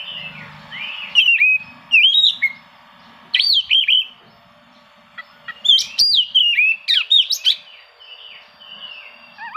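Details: Oriental magpie-robin song aimed at rivals, meant to provoke reluctant birds into singing: clear whistled phrases with sharp up-and-down slurs, delivered in separated bursts with short pauses, over a low background hum.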